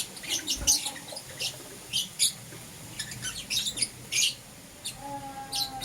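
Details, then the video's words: Pet lovebirds, green opaline and lutino colour forms, chirping in the morning: sharp, high, scratchy chirps in short irregular bursts across six seconds, some sounding squeaky, over a faint steady background hum. "Lovebird Chirping Sounds"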